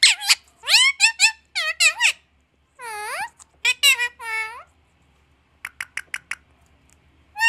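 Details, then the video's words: Parrot mimicking speech, saying "Maa Aaaa": a burst of short babbled syllables, then longer drawn-out vowel sounds falling and rising in pitch, ending with soft quick chirps. "Parrot is saying Maa Aaaa"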